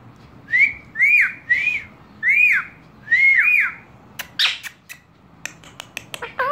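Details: Pet parrot, a talking bird, whistling while dancing indoors: five clear arched whistles that rise and fall, about one every half second, followed by sharp clicks and short squeaky notes.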